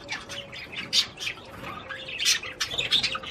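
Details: Budgerigar courtship warble to stimulate the female to mate: loud squawky chirps and scratchy chatter in quick bursts, with a faint steady hum behind.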